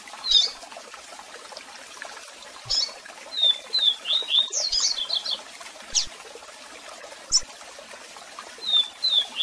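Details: Double-collared seedeater in a strong, varied song with calls, kept for song training; short whistled and sharp chipping notes scattered over steady cascade water noise.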